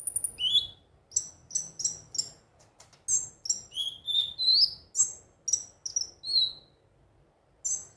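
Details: Ruby-cheeked sunbird song used as a daily singing lure: an energetic series of very high, sharp chirps and ticks, with short squeaky whistled phrases rising and falling, repeated at a quick pace.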